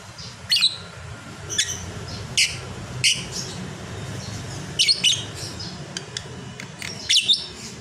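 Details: Lovebird, caged, calling while sleeping: short sharp high chirps in scattered bursts about a second apart, over a low steady indoor hum.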